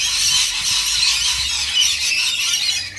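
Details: Continuous high, grating screeching from a flock of rainbow lorikeets during feeding, with little pause.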